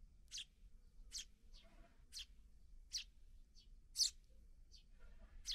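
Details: Sparrow fledglings just out of the nest, fed by parent birds; a steady run of bright, high chirps roughly every second, some louder and some softer, over quiet low background noise.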